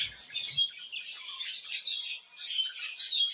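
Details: Budgerigars warble in a steady high twittering stream of buzzy chirps and clicks, with a brief low thump at the start.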